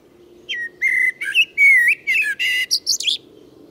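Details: A common blackbird's full song, recorded earlier in a Moscow forest park in early spring: a short run of clear whistled notes, some sliding and some twittering, ending in higher squeaky flourishes over a low steady hum.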